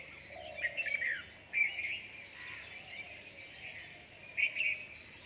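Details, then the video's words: Dawn chorus after rain, with several birds giving bright, high twittering phrases and quick chirp bursts at irregular intervals, a faint lower drawn-out whistle early on, and constant ambient hiss. "Dawn time of birds singing after rain"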